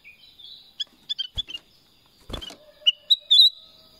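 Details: Black-crested bulbul, or kutilang emas, uttering scattered brief chirping whistles that end in a louder sliding phrase, with a rough rustling burst midway and a faint low tone behind.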